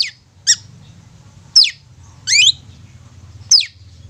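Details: Long-tailed shrike lure recording: five sparse, harsh, downward-sweeping squawking notes spaced about a second apart against faint low background hum.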